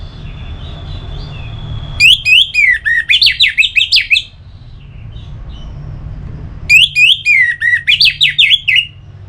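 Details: Song of an orange-headed thrush kept as a cage bird in north Bali, used to stimulate singing: two bursts of fast, loud whistled notes, rising and falling in quick succession, separated by a quiet gap with low background hum.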